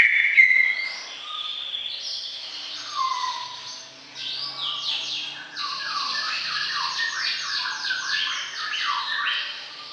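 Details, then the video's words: Greater green leafbird (cucak ijo) singing at length: a varied, rapid chattering phrase of squeaky, buzzy notes and quick downward-sweeping chirps, building into a dense run of repeated notes about two or three per second. "Suara Kicau CUCAK IJO Gacor Panjang"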